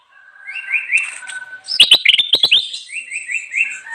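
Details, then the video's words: Bulbul singing to lure wild birds: short whistled notes rising and falling around a steady tone, then a burst of sharp clicking notes, followed by a run of quick repeated whistled phrases. "suara burung kutilang emas gacor cocok banget buat pikat"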